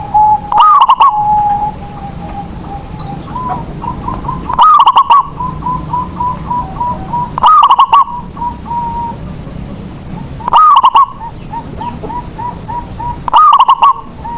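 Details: Zebra dove of a local strain, sung to spur other doves to join in: five loud, stuttering coo phrases at regular intervals over a background of softer repeated coos.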